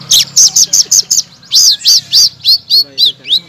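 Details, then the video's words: Blue-crowned laughingthrush song used as a master recording to provoke silent magpie-robins, kacer and cak ijo into loud singing: a quick series of short bright chips, then loud arched whistled notes repeated about every quarter second, over a low hum. "BURUNG SELENDANG BIRU BONGKAR BURUNG MACET MURAI BATU, KACER, CAK IJO LANGSUNG NYAUT BUNYI KERAS"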